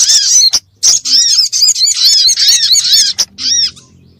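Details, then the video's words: Sunbird lure sound, crimson sunbird, intended to pull birds close and get them singing; sharp high arching chirps run in quick succession, ending with a separate short burst. "SUARA PIKAT BURUNG SOGOK ONTONG RIBUT AMPUH BIKIN SOGON NEMPEL PULUT"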